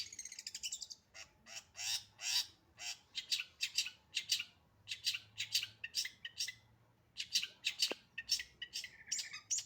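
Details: Long-tailed shrike in active 'full isian' song, here harsh and scratchy: rough squawking notes repeated roughly twice a second at an uneven pace, with grating, noisy texture.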